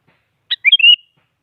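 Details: Sooty-headed bulbul provoking-type song for rousing a silent bird: a crisp introductory note followed by a chuckling, liquid run of whistled syllables that ends on a sustained slightly higher tone. Clean and quiet background.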